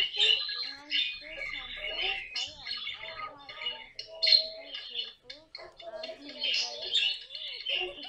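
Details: Pet caique parrot calling indoors: harsh, raspy squawks and chirps with brief whistled notes, in irregular bursts across the clip, mixed with soft lower voiced sounds.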